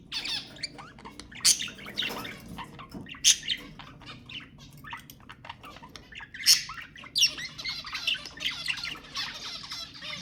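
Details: Budgerigar chatter used to encourage breeding: a continuous busy warble of scratchy chirps and clicks, with several louder squawks standing out near the start and middle.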